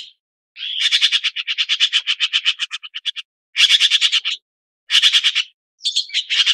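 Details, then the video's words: Red-billed blue magpie giving harsh, rattling chatter in fast pulsed bursts, one long run then several shorter ones, with no other sounds. "紅嘴藍鵲/Red-billed Blue Magpie"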